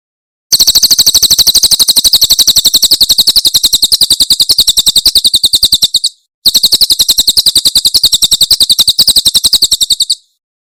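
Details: Javan prinia giving a Tembakan Cililin song for tutoring caged birds: a long, fast series of piercing high chips, roughly four each second, running about five seconds, a short break, then a further burst of the same notes.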